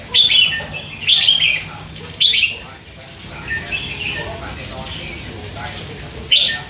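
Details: Three-month-old hand-fed red-whiskered bulbul in a cage, chattering steadily. Loud, rapid warbled phrases open the clip, then softer, scratchy twitters follow, with a final bright burst near the end.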